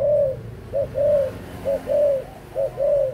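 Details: Adult spotted dove, 18 months, close and clear: loud soft-toned coos, a short hoot leading into a longer sustained coo, repeated three times in quick succession.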